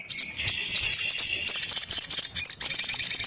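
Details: Little spiderhunter (sogon) in lively 'ngobra' song: a dense, high, buzzy chatter of rapid clicking notes, broken by short pauses, with faint low background noise.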